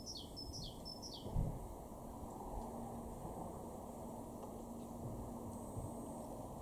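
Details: A great tit in a garden in Weener, East Frisia, northwest Germany, in April 2023 gives three quick, high, downslurred whistled notes in the first second, then falls silent over a steady low rumble and a single thump.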